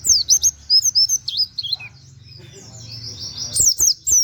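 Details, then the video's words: Nembak-style white-eye singing "wit wit" canary-like notes, meant for tutoring other songbirds: quick run of thin, high, twisting chirps, a quiet gap of about two seconds, then a fresh burst of piercing notes. "pleci nembaķ wit wit kenari cocok buat masteran"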